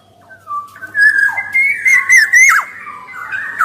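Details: Black-naped oriole (kepodang) in lively song, for male and female birds: rich fluted whistles that slide up and down in connected phrases, with brief sharper downward notes and a quiet background.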